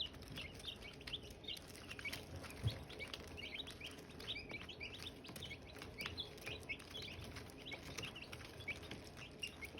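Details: Silkie chickens, chicks and eggs at hatching, keep up a busy stream of short, high chirps from several birds over a low hum, with scattered sharp clicks.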